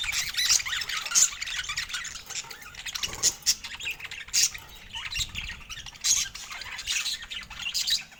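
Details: Several budgerigars, filmed in Scandinavian daylight, voice their joy at fresh food with busy twittering and scratchy warbles, broken by a few louder sharp chirps that stand out every second or two.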